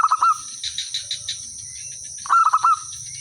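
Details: Village zebra dove in full song, kept as a lure to make other birds reply; two brief rattling coo phrases of quick soft notes about two seconds apart, with steady high-pitched buzzing and scattered chirping behind.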